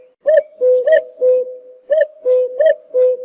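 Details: Rapid run of cuckoo (jleemah) calls, paired mellow notes, each high one stepping down to a flat lower tone, packed closely together almost without pause.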